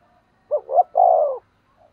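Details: A single spotted dove decoy phrase meant to provoke rivals: two short, clipped coos leading into one long, sustained, slightly falling coo.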